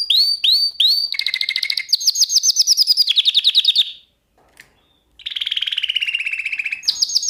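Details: Lesson song of a canary for training caged canaries: three rising whistles, then quick buzzy trills stepping down in pitch, a brief silence, a lower rolling trill and a high repeated phrase.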